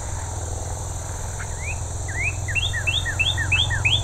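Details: A bright red male Northern Cardinal on the Gypsum Mine Tract, Haldimand, Ontario, in early September, sings an unusually long 7–8 second quickening series of clear, rising slurred whistles, about three per second, over a low rumble and steady high insect drone.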